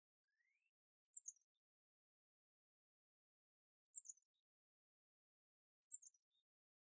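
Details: At a backyard feeder visited by chickadee, wren, finch, dove, cardinal, mockingbird, sparrow and titmouse, a soft rising whistle, then three very high, sharp chip notes spaced two to three seconds apart against silence.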